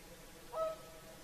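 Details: At sunset on the Saimaa lakeshore, a whooper swan gives one clear, bugle-like honk, short and slightly nasal, with only faint ambient hiss around it during the evening singing.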